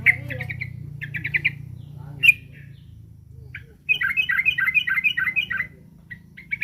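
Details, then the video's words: Threatened yellow-vented bulbul, locally trucukan, giving short clusters of harsh chirps, one loud squeak, then a fast dense chattering burst of repeated notes. A low hum runs beneath. "Suara burung trucukan lagi ter4ncam"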